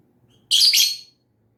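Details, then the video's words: Lovebird letting out a single harsh, raspy screech lasting about half a second, loud and broad-toned, over faint low background hum. "Lovebird SINGING and CHIRPING sounds"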